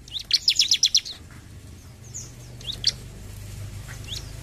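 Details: Ciblek, the bar-winged prinia, in lively "jump shoot" song: opens with a rapid run of about six piercing, high ticking notes, followed by a few isolated thin chirps and upswept squeaks against steady low background hum.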